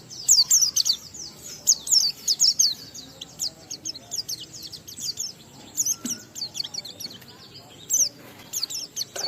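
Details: Oriental white-eye in ngalas-style song with riwikan fill material, meant to provoke other white-eyes to sing. Rapid high twittering phrases of sharp downslurred notes come in uneven bursts over a low rumbling background.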